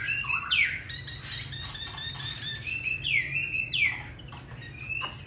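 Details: Hwamei in captivity, Hanoi, Vietnam, known for a wild-type voice: strong sweeping downslurred whistles break in between steadier sustained tones and scratchy notes.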